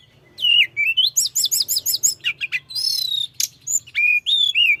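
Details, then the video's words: Mountain flowerpecker pouring out a rolling song to raise rival birds' aggression, beginning with slurred whistles, then evenly spaced doubled chips and bright rising notes, a low hum steady in the background. "Kicau gacor tledekan gunung ngeroll‼️Ampuh menaikkan emosi lawan"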